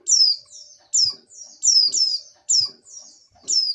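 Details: Female oriental white-eye in breeding condition calling to the male: high, thin chirps sliding steeply downward, given in quick pairs and runs about every three quarters of a second, with soft faint notes between.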